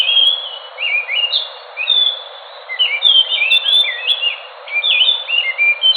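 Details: Enggano thrush of Indonesia's Enggano island delivering rapid whistled phrases, clear notes swooping down and up, a short pause, then a busier tangle of overlapping warbles.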